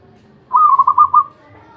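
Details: One brief trilled coo from a zebra dove singing nonstop: roughly six soft, rounded notes run together at a steady pitch, the last slightly longer, against a quiet backdrop.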